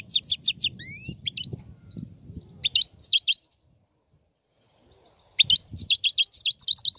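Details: A European goldfinch sings quick high chirps and rising whistled slurs over faint low noise. It stops for about two seconds of quiet, then resumes with a dense, tumbling twitter.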